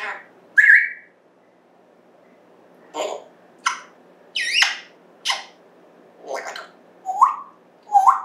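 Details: Caged-home African grey parrot talking up a storm indoors in September 2024: a series of short speech-like syllables and chirps, some sliding whistles, spaced about every second after an opening whistle and a pause.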